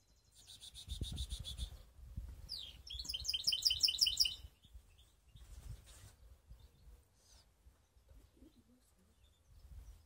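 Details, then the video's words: Canary hybrid (baster) from Skopje singing: a bright high buzzy trill, then a fast run of repeated rising chirped notes lasting about two seconds, followed by near silence with faint low handling thumps. "Canary mixed best song"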